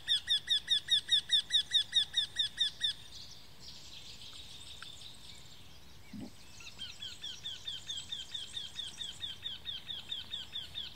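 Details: Eurasian wryneck calling with a loud run of evenly spaced, ringing, downslurred notes that stops after three seconds. A fainter, similar series follows later, possibly from farther away, and a brief low sound is heard amid a rustling outdoor background.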